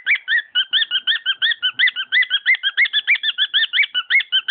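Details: Cockatiel kept as a pet, warbling a dense sequence of short looping whistles, the delivery rapid and continuous throughout.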